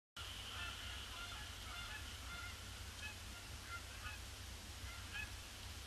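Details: Canada geese arriving in large numbers on a gloomy, grey Boxing Day, circling a pond before landing; faint distant honks scattered through steady low wind and background rumble.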